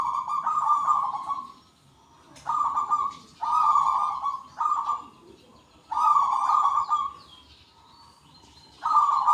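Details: Zebra doves of the local type, many answering each other in the loud 'kung' style. Short and long rolling coos come in bursts, some almost back to back, over chattering songbirds.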